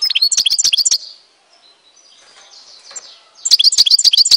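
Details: European goldfinch of Tizi Ouzou, Algeria, giving quick jangling twitter phrases, one burst at the start and another after a quiet gap filled with soft distant bird sounds.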